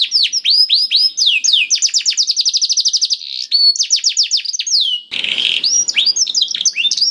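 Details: Canary singing as a prompt for a reluctant canary: rolling trills of curved whistled notes, a very fast buzzy run in the middle, then a harsh noisy passage with faint chirps.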